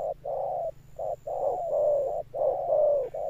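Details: Spotted dove in deep 'thunder-tone' cooing with a sustained finish. Long, low, smooth coos run almost without gaps, each gently falling in pitch and broken by short notes.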